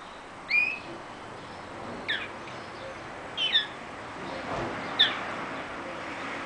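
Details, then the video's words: A young hybrid, male linnet crossed with female greenfinch, gives four brief, bright twittering notes about a second and a half apart, high and sharp, over a steady hiss. "Hybrid Pardillo x verdone"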